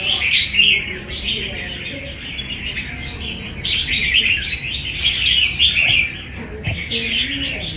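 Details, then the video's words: Wild-caught red-whiskered bulbul kept for fighting competition, singing a dense, continuous run of bright chattering and warbled phrases with brief pauses, steady throughout, over faint background hiss. "Bổi đấu quá tố chất"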